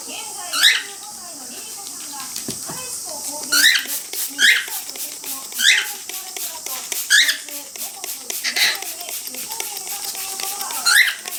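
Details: Male cockatiel vocalising as its pet female companion is misted with water during a bath; bright, rising chirps repeat roughly every second or two, with rapid spray-bottle hisses, soft lower chatter and a woman talking.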